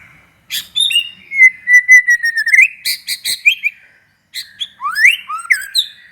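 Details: White-rumped shama singing to provoke other shamas: long run of bright whistles and rapid chattering notes, a short silence, then rising whistled sweeps and clipped chirps.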